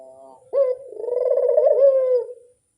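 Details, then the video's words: Barbary dove calling as a lure: after a soft lead-in, a strong coo begins with a quick rising flick and runs on as a long, vibrating, gently falling note for nearly two seconds, then silence. "Pancingan burung puter mamtap nembak"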